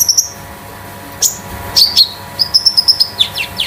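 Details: Caged konin sunbird kept at home as a tutor bird, a few sharp high chirps leading into a quick run of repeated metallic notes and descending slurred whistles.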